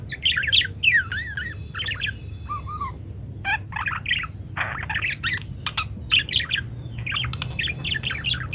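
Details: Parakeet singing nonstop in varied style, used as a master recording so munias learn to sing quickly: dense, rapid chatter of squeaky chirps, wavering warbles and short sharp notes running almost without pause, over a steady low background hum.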